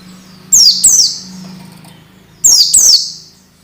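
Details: Masteran tutor sound for untrained orange-headed thrushes (peleci), meant to speed their singing: two pairs of loud, high whistles, each sliding steeply downward, about two seconds apart, over a constant low hum.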